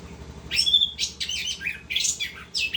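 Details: Orange-headed thrush in continuous 'ngerol' song, pouring out dense, rapidly changing phrases of high whistles, slurred chirps and scratchy notes with only brief pauses, over a faint low hum.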